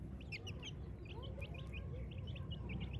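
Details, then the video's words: Village chicks at morning, many quick, high, short falling peeps scattered across the clip, soft against a low humming background. "Cute Chicks Chirping Sounds"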